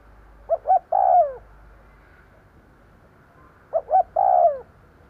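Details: Two cooing phrases from a spotted dove used as a lure for wild doves, each made of two short clipped notes and a long descending coo, separated by about three seconds of quiet hiss.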